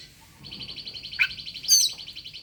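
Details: Oriental magpie-robin singing to challenge a rival to fight, used as a lure to prompt quiet birds to sing: a long, rapid, buzzy pulsed trill with a short, sharp downslurred note in the middle and loud high whistled notes near the end.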